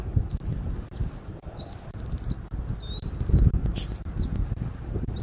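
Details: Eagle at its nest in Southwest Florida, nest camera, 13 January 2024 at 14:17; repeated thin high whistles, one every second or so, with low rumbling wind and a few rustles.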